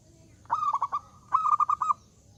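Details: Zebra dove (perkutut) in full loud song said to invite rivals to answer: two cooing phrases, each a mid-pitched drawn note broken into a quick stutter of four or five rolling beats, separated by a short pause.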